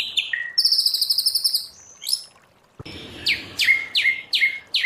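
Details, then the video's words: White-rumped shama singing in wild style: a high fast rattling trill, a brief pause, then loud descending notes repeated at a steady pace. "Luyện choè lửa hót giọng rừng hay, luyện giọng choè lửa hay"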